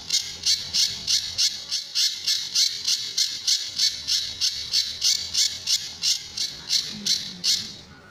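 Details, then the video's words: Sunda bush warbler, the pijantur, in a master recording for tutoring other birds, with tembakan and besetan phrases: rapid rasping bursts, about three each second, continuing evenly throughout, with a faint low hum behind. "Burung Pijantur Gacor"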